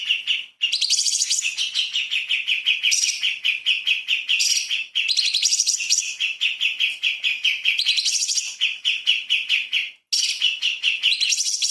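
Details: Light-vented bulbul in 'tembakan' burst style, recorded as a master for magpie-robins: a nearly unbroken stream of fast, scratchy chirps on a steady pitch, with brief brighter trills every second or two.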